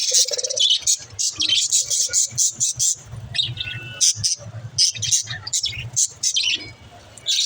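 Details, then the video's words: Pet budgerigar chirping, meant to encourage lonely budgies to chirp; bursts of quick high chirps and squeaks in short pulsed groups with brief pauses, a low hum underneath. "Help lonely budgies to chirp"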